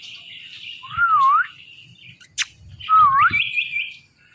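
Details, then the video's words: Indian ringneck parakeet talking: two short wavy whistled phrases, dipping then rising, about two seconds apart, each over a harsh raspy background band. A single sharp click falls between them, with low rumbling underneath. "These Ringneck Parakeets Are The Best Talking Parrots"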